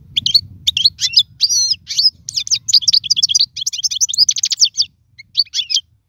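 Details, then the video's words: European goldfinch song used for teaching young birds to sing: a fast run of twittering, chirpy and buzzy high notes with clipped trills, brief pauses, then a few sharp chirps near the end. "افضل تغريد لتعليم الفراخ"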